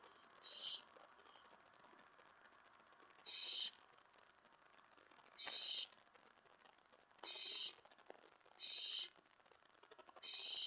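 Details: Owlet in a nest box at night, May 19, 2017, stirred by an owl arriving at the tray. Six short, faint hissing screeches spread unevenly over ten seconds against steady background noise.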